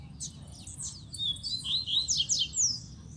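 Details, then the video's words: Caged male rusty-collared seedeater singing close to a female placed on top of its cage: a fast, high series of buzzy, sliding whistled notes, over steady low background hum. "VEIO UM COLEIRO NA GAIOLA - GANHOU VÁRIOS CANTO DE CARA!!!"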